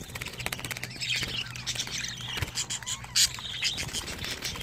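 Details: Young budgerigars at 25 days old in a home nest give dense scratchy begging calls, rough bursts rising and falling, with a low background hum and one sharp click.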